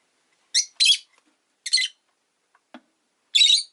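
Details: Five caged rosy-faced lovebirds by a window on a relaxed afternoon, giving four harsh, shrill chirps, two close together, then a pause, another, and a last one after a longer gap.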